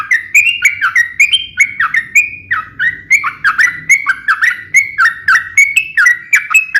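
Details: Fighting song of a sooty-headed bulbul, sharp and rapid, played to provoke other bulbuls to sing. Liquid whistled notes arrive in quick, evenly spaced bursts, each with a rising flick and a dropping tail, over a faint low hum.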